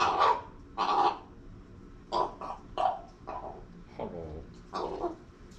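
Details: Pet common raven, female, squawking in her owner's face and making strange new noises, perhaps trying to talk or say hello: harsh, raspy broadband calls in short bursts, roughly one per second, some doubled, in a small indoor room.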